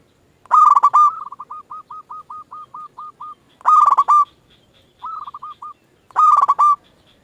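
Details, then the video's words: Zebra dove of local stock used for luring other doves to reply: bubbling coo phrases alternate with a run of about ten short, even, clipped notes, then a shorter run and a final coo, in a quiet background. "Perkutut lokal gacor RAJA PIKAT ahlinya bikin semua burung perkutut gacor pada nyaut"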